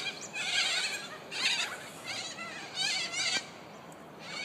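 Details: Corellas at Murdoch University, Perth, Western Australia: harsh, grating screeches in three main bursts, each under a second long, with a steady hiss of background noise between them.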